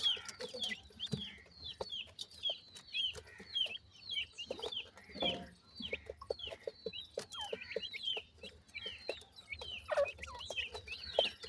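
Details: Grey francolin chicks being fed: steady stream of short high downslurred peeps, roughly a hundred a minute in uneven rhythm, with light pecking clicks and soft background rustle.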